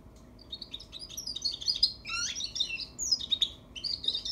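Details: A young European goldfinch practising its song: a rambling run of high, twittering chirps and short whistled notes, with a few lower descending slurs and brief pauses, over a faint steady hum.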